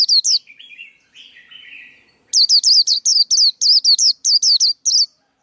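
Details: Song of a male white-eye used to train young birds and lure birds into traps: two high slurred notes, a soft lower warble, then a rapid run of about a dozen loud, falling, piercing chirps.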